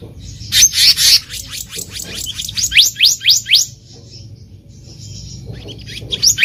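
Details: Black-naped monarch calling in the wild, a recording meant as a lure for trapping: a burst of sharp upslurred notes, about four a second, after noisy chirps, then a quiet gap and one more note.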